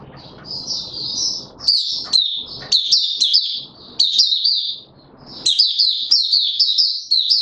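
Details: Opening song of a caged white-eye being pushed on form, 31 December 2021: a soft high warble, then loud chattering bursts of quick descending slurs, with a pause of about half a second before a final energetic run.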